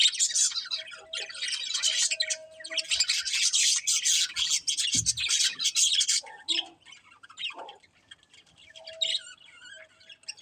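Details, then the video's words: Budgerigars chirping in a dense scratchy chorus of high squawks and chirps for about six seconds, then thinner scattered chirps with a faint low hum and a brief thump. "Cute Colourful Budgies Chirping Sounds"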